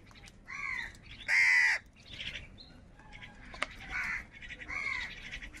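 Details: Crows fighting for food give a loud, hoarse caw among several softer, raspy calls, about five in all, with scattered faint clicks.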